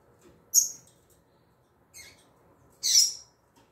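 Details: Female double-collared seedeater giving the tui tui zel zel style of calling: three short, very high, sharp chip notes spaced about a second apart, with a quiet background.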